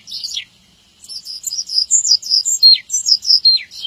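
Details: Javan bush lark tutor song for training young birds. A short chirp and downslur, a pause, then a clean burst of rapid high chirps and falling slurred whistles.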